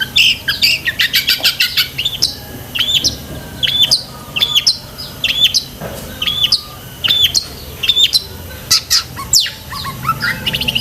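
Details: Long-tailed shrike singing 'gacor isian' style, a recording meant for training caged shrikes: rapid, busy phrases of sharp chirps, short whistled notes and clicks in quick succession, with a faint low hum throughout.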